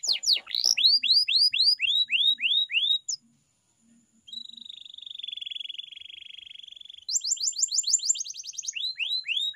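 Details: Canary training song: rapid repeated rising sweeps, a steady buzzy trill held about three seconds, then fast bright rolls of falling notes.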